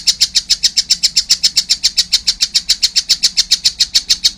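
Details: Nonstop rapid chatter from a young collared kingfisher: loud, grating, high notes delivered evenly at about three or four per second throughout.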